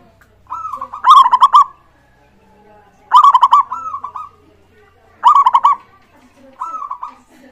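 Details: Local zebra dove in full singing form, played as a lure to make other doves sing quickly; three loud pulsed cooing phrases, each a rapid stuttering burst ending in a drawn-out slurred coo, repeated about every two seconds, plus a softer trailing coo.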